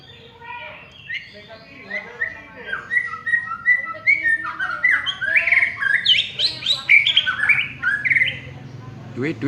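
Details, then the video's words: Prize-winning contest white-rumped shama delivering a rich, varied song of rapid whistled phrases, rising and falling, building into loud, ringing, slurred notes in the second half. "BURUNG MUARAI JUARA"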